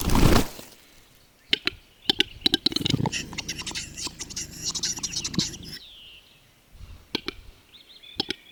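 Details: Lekking western capercaillie; a loud thump opens, then scattered clicks and a dense rattling, gurgling passage with low grunting tones, fading to quiet with a few more clicks and a high warbling note near the end.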